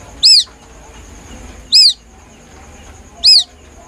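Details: Plaintive calling of a young white-breasted waterhen, a recording meant as a lure for hunters. Three sharp, high chirps, each quickly bending up and down, come at even intervals of about 1.5 seconds above a thin constant tone.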